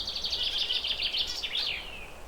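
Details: Zebra finch perched, calling with a fast series of buzzy, harmonic nasal notes that ends in downward-sweeping chirps; faint steady hiss behind.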